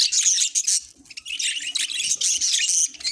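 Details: Budgerigars giving rapid, dense high chirps and buzzy warbling, nearly continuous, over a faint low hum.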